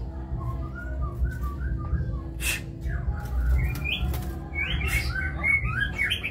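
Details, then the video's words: White-rumped shama in kebyok style starting with soft, spaced whistled notes, then breaking into louder, quick-changing whistled phrases after a few harsh clicks, with low hum throughout. "Murai batu (Kebyok)"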